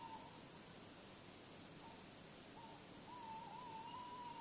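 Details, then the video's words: Tawny owl heard before dawn, 3:43–3:48 a.m., 16 February 2016, in Bergen, Netherlands; a few short faint hoots, then a drawn-out tremulous wavering note near the end, with constant background hiss. "Bosuil roept in Nacht"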